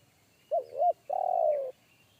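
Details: Wild forest spotted dove giving a big, deep bass call of the one-coo style that made a trainee decoy dove shy away; two short rising-and-falling coos followed by one long drawn-out coo.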